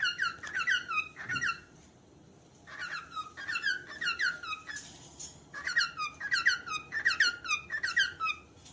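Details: Repeated bright, descending chirps from a calling cockatiel, delivered in tight clusters, with a pause of about a second and a half early on before the bursts resume steadily.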